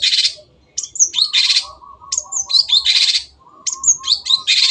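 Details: Long-tailed shrike alternating loud rasping, noisy bursts with high twisting whistled phrases. A steady low warbling continues faintly beneath.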